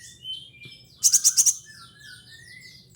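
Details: A kolibri ninja, a caged songbird, voicing mimicked phrases: one quick burst of five shrill, high clicking notes, then a string of thin, sliding whistled notes over a faint low hum.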